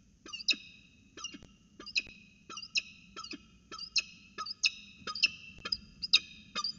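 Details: Peregrine falcons at the Orange CSU nest, recorded 5 January 2020: harsh, raspy, harmonically rich calls given in short loud bursts roughly every half second, steady and insistent, over a faint low background rumble.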